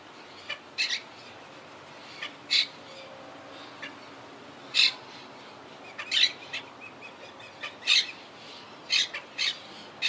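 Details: Harsh, scratchy squawks from a wild Quaker parakeet colony regrouping after hurricane Irma in 2017, birds living high in trees; bursts come irregularly, some doubled, roughly one or two every second.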